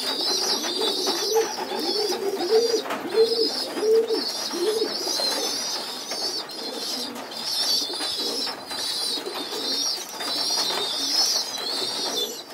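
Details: Young pigeons begging at group feeding on the loft floor: pulsing shrill squeals repeated about every second, alongside a run of low rounded coos early on, indoors.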